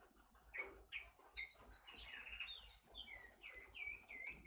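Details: Forest oriole, a bird known locally as kepodang hutan: a run of sharp chirps and downslurred whistles, followed by a burst of high, scratchy notes and then repeated falling whistled phrases. A low hum sits underneath.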